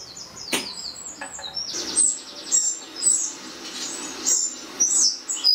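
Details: Garden wrens stirred by playback of their recorded song: a couple of dull knocks open, then shrill high chirps follow in an irregular series of about one and a half per second.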